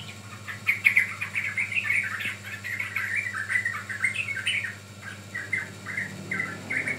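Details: Sooty-headed bulbul lure recording: loud squeaky chirps crowded into lively phrases, then sparser warbled notes toward the end, with a faint hum behind.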